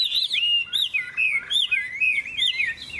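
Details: Hwamei in competitive singing, a bright yellow bird with a big tail that plays its wings, delivering loud whistled phrases that swoop and slur up and down, broken by short pauses and quick bright notes.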